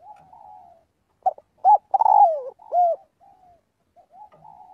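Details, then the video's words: Spotted dove calls to the flock with soft coos, two sharp notes, then a long descending rolled coo and a final arched coo, ending with quiet cooing. "tiếng chim cu gáy gọi/chim cu gáy gọi bầy luyện giọng mỗi ngày"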